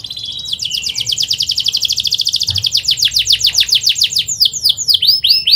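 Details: Fast canary song, an unbroken rapid roll of sharp chirping notes about four per second, starting with a level whistle and ending in looping curved notes, over faint background hum.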